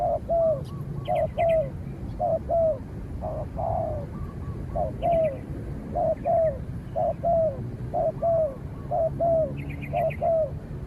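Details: Spotted dove calling against a rival, a trained bird facing a wild dove that keeps its distance and is finally chased away; repeated mellow two- and three-note coos about once a second, with faint higher chirps from other birds.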